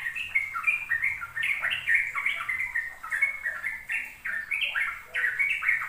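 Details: Rapid 'ropel' singing from a sooty-headed bulbul, played to young birds as a lesson. Dense, continuous chattering whistles jump between pitches with barely a break, over faint background hum.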